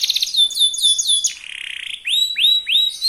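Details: Very fast song of a young local canary, used to provoke rival canaries into singing: high slurred whistles, a soft buzzy rattle, then three loud upward-sweeping whistled notes about a third of a second apart.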